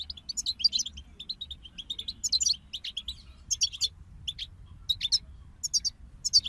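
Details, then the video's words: Several European goldfinches twitter in short, lively phrases of bright, tinkling chirps, with gaps between bursts and isolated sharp notes later on. "King of Songbirds Goldfinch Group"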